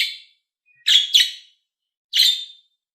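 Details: Budgerigar calls to stimulate other budgies: a fading chirp, then a quick double of harsh, buzzy notes, and another rasping chirp a second later, all bright and short against complete silence.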